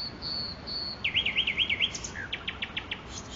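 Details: A common nightingale singing in Makui park: thin high whistles, then a fast warbled trill, then a row of sharp clipped notes, over a steady background hiss.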